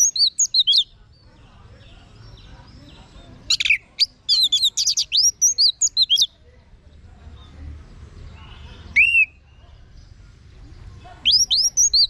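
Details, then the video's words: Orange-headed thrush song used as a vocal tutor to prompt kept birds at home to answer and sing openly. Bright, sweeping high whistles and quick trilled phrases come in separate bursts with pauses, over a low background hum. "Guru Vokal ANIS MERAH Agar Selalu Ikut Nyaut Ngeplong di Rumah"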